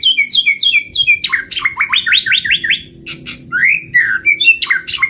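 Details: Lure recording of a white-rumped shama singing: repeated descending whistles, then quick looping upward notes, buzzy bursts, and a rich slurred whistle, varied and loud throughout.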